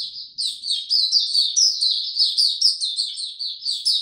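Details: White-eye singing in warm, very humid weather on 26 March 2022: a fast, continuous twittering of high, thin chirps and short slurred notes, about two per second, with no other sounds.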